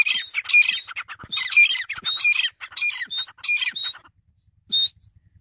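A grey francolin gives harsh, squawking, high-pitched phrases in quick bursts about twice a second, then a pause and one last squeaky note.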